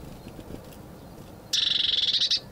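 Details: Eurasian blue tit singing while eating from a seed ball: after a second and a half of quiet background hiss, a single rapid, high, buzzy trill of evenly repeated notes lasts under a second.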